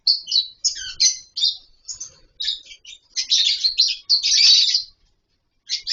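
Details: Colony lovebirds with wooden nest boxes and mud bowls; rapid, shrill chirping and chatter running almost continuously, notes varied and overlapping, ending with a short pause and a final burst.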